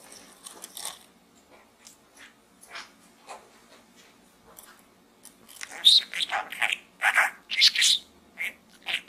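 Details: Pet budgerigar inside a small gourd, starting with faint soft ticking and scratchy notes, then breaking into louder warbling chatter and squeaky chirps in the second half.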